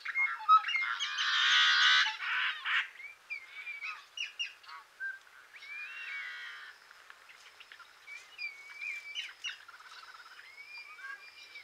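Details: Yellow-headed blackbird opens with a loud coarse buzzing squawk lasting about two seconds, then scattered short chirps, chuck notes and brief slurred whistles trailing off more quietly.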